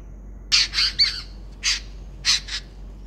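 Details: A gregarious group of jungle babblers at an urban balcony birdbath in the post-monsoon morning gives harsh, squeaky, rasping bursts in ragged clusters, several notes tumbling together in noisy chatter over a quiet background.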